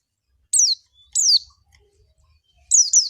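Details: Oriental white-eye lure intended to make white-eyes sing quickly in 'ngalas' style: a few loud, high, steeply falling chirps, spaced unevenly, with silence in between.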